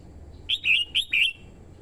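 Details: Decoy red-whiskered bulbul singing to provoke and call in wild birds: a crisp phrase of four loud, liquid whistled notes, the first short and high, the rest slurred downward, over a quiet low background hum.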